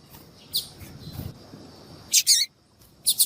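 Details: Female yellow-bellied seedeater calling for males: a faint early chip, then two loud, closely paired high chirps, a pause and a final double chip.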